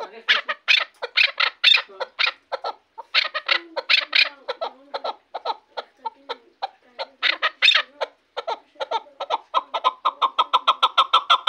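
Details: Chukar partridge from Shahritus, a bird kept for hunting, calling in uneven bursts of loud clucking notes with brief pauses, then settling into a rapid, evenly spaced run of chuk notes toward the end.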